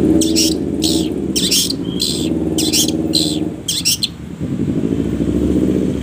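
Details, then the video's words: Long-tailed shrike on a masteran training track: loud, buzzy, harsh rasping bursts in a rhythmic series with short gaps, then quieter, over a low droning background. "masteran // pancingan // setingan burung cendet penuh jeda"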